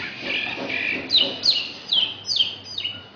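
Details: Asian pied starling song with imitations of magpie-robin and canary: soft warbled notes, then a run of five clear, sharply falling whistles about half a second apart, with a low background hum.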